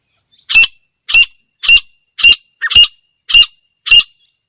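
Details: Female grey francolin (teetar) calling: seven loud, harsh, high notes, each short and sharp, repeated about every 0.6 seconds in a steady series against a silent background.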